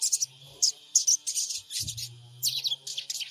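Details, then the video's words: Spotted (trotol) sogon bird calls used as a lure recording to provoke wild birds into calling, recorded on an Android phone in Purbalingga: bursts of high, scratchy chirps in quick clusters with short pauses, plus a faint low hum. "Pancingan SOGON trotol PENJEBOL EMOSI SOGON MACET BUNYI"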